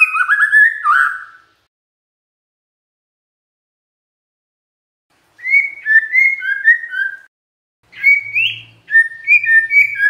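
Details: Song of a Magpie-robin used to trigger responses from other magpie-robins: short bursts of clear, sliding whistled notes separated by long silences, each burst of several quick phrases.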